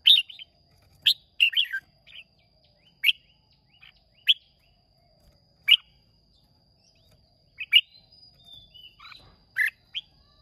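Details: Red-whiskered bulbul from Hoa Binh, Vietnam, recorded 30 May 2023 in a singing contest: short bright chirped phrases, some quick double notes, spaced one to two seconds apart over a faint steady high whine.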